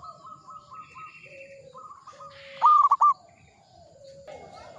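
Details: Zebra dove, a local bird, in Mataram ngepat rhythm: one short loud burst of three or four clipped, hooked cooing notes rising over quiet background chirps and soft whistles from other birds.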